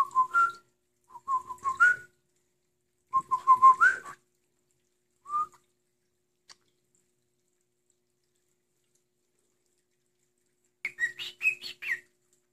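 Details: Pet male cockatiel, playful and affectionate, singing indoors: short warbled whistle phrases at a steady middle pitch, several bursts with irregular gaps and a slight upward flip at the end, then a pause and a higher, busier chattering whistle.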